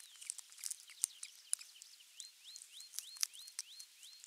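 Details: Osprey at the nest on the morning of 23 June 2020, when a half-kilo crucian carp was the morning fish; a run of thin, rising whistled notes repeated several times a second, over frequent sharp clicks and crackles.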